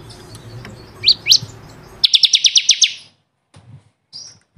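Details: Bar-winged prinia tutor song for caged birds: two rising high notes, then a short, fast trill of about eight sharp notes, followed by near-silence and a faint high note.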